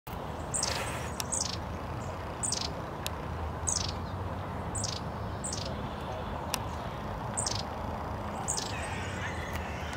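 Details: Long-tailed tit in Tivoli landscape park, Ljubljana, on 15 June 2023, giving thin, very high, slightly falling call notes roughly every second, over a steady low rumble of distant traffic.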